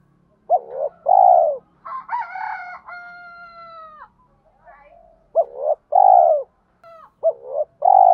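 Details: Spotted dove of the thổ voice style, kept as a lure bird, giving deep hollow coos in short two- and three-note groups, with a drawn-out harmonic rasping note in between and brief quiet gaps.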